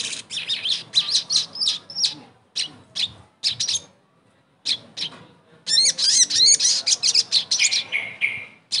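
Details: Crimson sunbird (sogon) song played as therapy for a bird that no longer sings: spaced bursts of high, sharp chips, then a dense, fast, warbling twitter with squeaky slurred notes.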